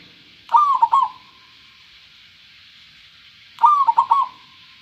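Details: Zebra dove, local type, singing clearly: two identical short phrases of rapid rolling coos about three seconds apart, with a faint steady hiss behind.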